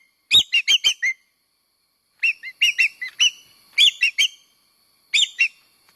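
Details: Common green magpie, Cissa chinensis, locally called engkek keling layongan, used as a lure call: clusters of four or five sharp, metallic chirps with a tinny ring, spaced by gaps of one to two seconds, in a silent background.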